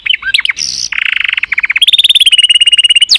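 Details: Canary performing its song, with a few separate chirps leading into a long, even, rapid trill that steps up in pitch partway through.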